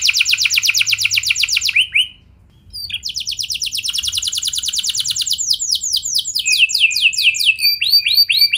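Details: Canary pancingan, used to spur other canaries into song: a ringing trill, a short silence, then a long rolling trill that turns into repeated descending, whistled sweeps.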